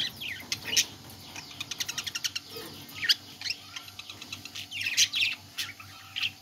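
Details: Budgerigars singing in a cage warble in high, chattering bursts of chirps and scratchy notes.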